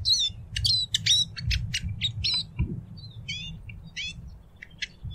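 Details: Twittering Eurasian siskin song, sharp high notes with quick upward and downward slurs, delivered about two or three per second, with low rumble and one low knock in the background.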